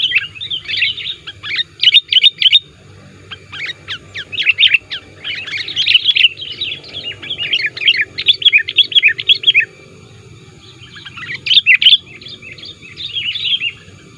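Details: Sooty-headed bulbul calls played to lure wild bulbuls, said to press rivals: long runs of dense bubbly chirping broken by quiet gaps, with a soft hum beneath.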